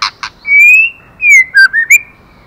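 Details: White-rumped shama, a female stimulating the male, gives two short harsh clicks, then a long steady whistle, a sliding whistle and a quick run of rich warbled notes.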